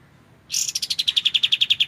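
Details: White-shouldered triller recorded clearly as tutor material for magpie-robins: a harsh burst that breaks into a quick steady trill of around fifteen sharp, high repeated notes.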